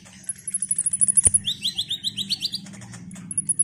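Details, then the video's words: Ruby-cheeked sunbird in energetic song meant to rouse other sunbirds: a thin very high sustained whistle, then a fast rising trill of about a dozen repeated notes, ending in rapid ticks, over a low hum. "Pancingan KONIN GACOR INI DIJAMIN bikin KOLIBRI NINJA lain EMOSI Rajin Bunyi"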